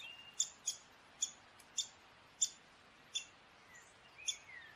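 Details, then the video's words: Downy woodpecker giving sharp, short, high call notes, single or in pairs, spaced irregularly about half a second to a second apart over a quiet background hiss. "Downy woodpecker call / song / sounds"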